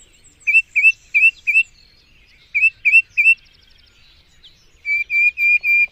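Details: Mockingbird (cenzontle) song with groups of three or four clipped, bright notes, a few softer twittering sounds between them, and finally a series of longer, even, sustained whistles.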